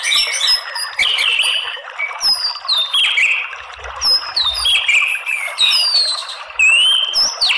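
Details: Shama song played as a lure to provoke fighting song in males: high, thin whistled slurs and bright chirps tumble in rapid, varied phrases, with sharp upward-sweeping notes throughout.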